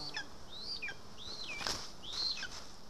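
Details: {'caption': 'Lesser spotted eagle at a nest in Estonia, 2 August 2020, as voles are delivered. A few high, bent whistled calls mixed with wing flapping and scuffling noises.'}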